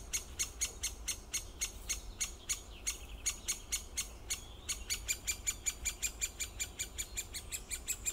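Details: Great spotted woodpecker repeating sharp, metallic clicks in long runs, about two to three per second, with a brief pause near the middle before the series quickens again.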